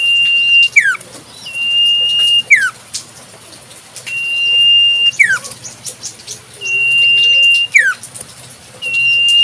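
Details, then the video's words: Common iora singing in the wild: drawn-out level high whistles, each ending in a swift downward slur, coming at irregular intervals of two to three seconds over a low steady hum. "Burung Sirtu cipoh full suara asli Alam"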